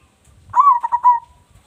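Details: Local zebra dove with a big voice, suited as a lure: a single clear cooing phrase opening with a rising note, followed by a quick stutter of soft pulsed coos that trail off.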